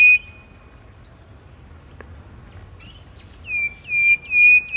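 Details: Antpitta voice: a long, level whistled note, then a pause, then a run of quick whistled notes, each beginning with a short upward flick, against faint low background noise.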